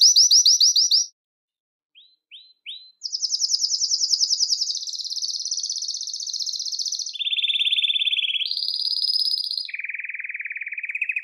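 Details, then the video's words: Belgian canary song, used to attract and call canaries: a brisk high trill, three soft rising notes, then a long sequence of buzzy rolling tours stepping down and up in pitch, ending on a lower trill. "CANTO PARA ATRAIR E CHAMAR O CANÁRIO BELGA"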